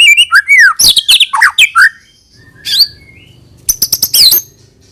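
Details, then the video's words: White-rumped shama singing, a recording meant to draw young birds into song. Starts with a fast jumble of varied slurred whistles, then a pause, a single high note, and a closing burst of sharp, high, clipped notes. "suara burung MURAI BATU UNTUK MEMANCING MB BAHAN AGAR RAJIN BUNYI DAN GACOOR |SHAMA BIRD"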